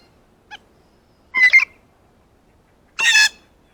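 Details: Blue jay, excited by its first ripe banana, gives a faint short tick, then two harsh, nasal, harmonic calls about one and a half seconds apart, with no other sounds.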